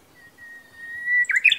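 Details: Japanese bush warbler singing in a quiet mountain setting in Kita-Harima, Hyogo, Japan, on a sunny, hot summer-season day, with slight echo: a long, steady whistled note rising at the end, then a quick, bright 'hokekyo' flourish.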